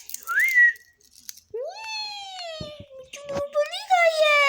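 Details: Pet parrot talking while eating indoors: a short rising whistle, then drawn-out, voice-like gliding tones with rich overtones, broken by small clicks and rattles.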